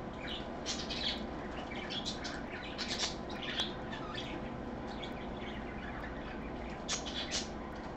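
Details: Pet parakeet gives scattered short, scratchy chirps and squawks at irregular intervals over a steady background hum; recorded on a Sunday, 24 August 2014, around 3 PM.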